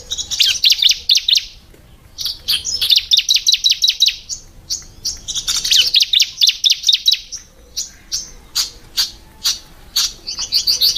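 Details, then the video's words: A prinia gives rapid runs of thin, high chirps in dense bursts of a few seconds, with brief pauses and sharper single notes between. "Chirping Women Ciblek Birds"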